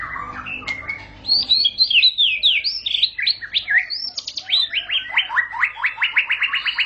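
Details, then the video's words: White-rumped shama singing quick, high whistled twists and flourishes that settle into a fast series of evenly repeated sharp notes. "Murai batu bakal langsung ngentrok"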